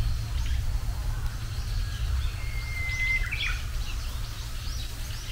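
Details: In early spring, the season's first Japanese bush warbler song: a clear sustained whistle of nearly a second ends in a rapid, bouncing phrase of falling notes, with faint chirps around it and low outdoor noise.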